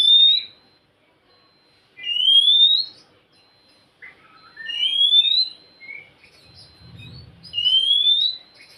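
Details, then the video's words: Oriental magpie-robin song used to coax a reluctant bird into singing: long upward-sliding whistles separated by pauses, a short falling flourish in the middle, faint low rumble behind. "Siulan KACER untuk kacermu yang malas bunyi"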